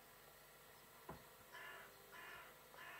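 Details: On a Whit Monday morning in 2017, a carrion crow at a balcony door gives one dull knock. Three raspy caws follow in a steady series, with faint room hiss underneath.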